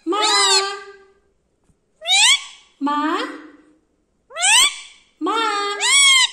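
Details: Indian ringneck parakeet kept as a pet mimicking speech, saying maa and papa: five rich, nasal, word-like calls with rising and arched contours, some sharply upswept, delivered in a quiet room with pauses between each.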